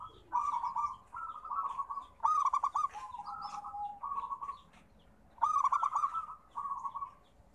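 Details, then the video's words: Zebra dove, a local perkutut, delivering a sequence of mid-pitched cooing phrases. Several begin with a fast, stuttered rattle before settling into a drawn-out purring trill, and two stutter-led phrases stand out loudest. "Suara Terapi Perkutut"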